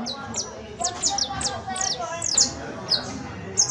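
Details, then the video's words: Saffron finch, locally canario criollo, singing professional-style song: well-spaced, clear descending chirps roughly every quarter second, some doubled, over a faint murmur in the background. "CANTO PROFESIONAL DE CANARIO BASTO"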